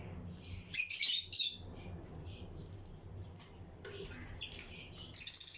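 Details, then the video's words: Breeding colony of lutino lovebirds in an aviary: a brief cluster of sharp, high squeaky chirps, quiet soft twitters and low hum, then a fast shrill trill starting at the end. "Lutino Lovebirds Breeding Colony Cage - Chirping and Relaxing Sound"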